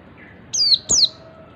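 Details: Two sharp, high whistled notes from an Oriental white-eye, each sliding steeply downward, heard close together in its ngalas call meant to set other white-eyes calling.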